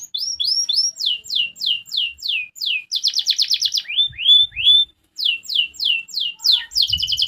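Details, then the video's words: Singing canary whose song prompts rival canaries to reply fast: series of high downward-slurred whistles repeated about three per second, a dense buzzy trill, rising whistled notes, then more falling sweeps and a closing rapid trill. "Suara kenari ini yg bikin lawan cepet nyaut"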